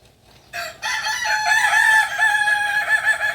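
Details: Native West Sumatran Kukuak Balenggek chicken from Solok crowing. A short opening note leads into a long, loud, wavering crow of nearly three seconds with a few slight breaks.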